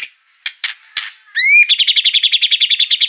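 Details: White-rumped shama song used as a lure to provoke another bird into singing: a few harsh buzzy notes, a rising whistled slur, then a fast even series of sharp chipping notes, about fourteen in under two seconds.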